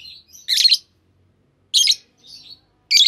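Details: A pair of green Fischer's lovebirds gives loud, buzzy, scratchy chirps spaced just over a second apart, with quieter, thin nasal notes in between.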